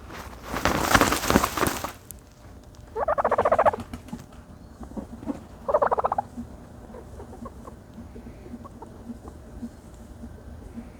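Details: A turkey bathing in dirt: a rushing scratching noise at first, then two loud, quickly pulsed gobbles, followed by faint soft clucks and rustling.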